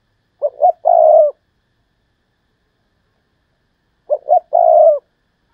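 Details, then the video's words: Captive decoy spotted dove calling in the thúc lợi cốt style. It gives two identical phrases about 3.7 seconds apart, each of two quick low coos followed by a long steady coo, with silence between. "Chim Cu Mồi/ Thúc Lợi Cốt"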